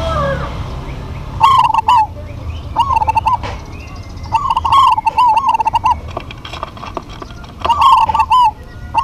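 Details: Local zebra doves singing as a pair: bubbling cooed phrases with a rolling tremolo, repeated in bursts every one to three seconds against a soft constant background rumble.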